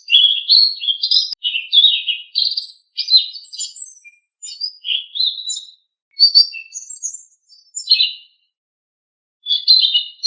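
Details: Kept blue-winged leafbird training song: a near-continuous run of varied warbled whistles, quick chirps and twittering phrases, high-pitched and lively, with a few brief pauses and a longer gap before the final burst; no other sounds.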